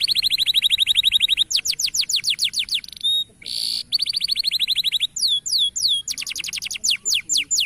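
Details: Local canary training song meant to make birds sing readily: long rapid trills of repeated descending sweeps, broken by brief buzzy bursts, then more fast sweeping series.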